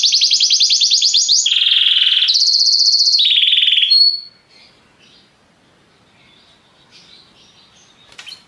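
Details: Four seconds of rapid trilled tours from a Belgian canary, jumping between higher and lower pitches in a lazy song, then near silence with faint distant chirps.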